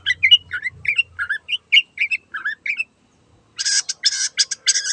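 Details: Long-tailed shrike singing ('gacor') to prompt a silent bird: a string of short warbled whistles about three per second, then after a pause a burst of harsh grating screeches.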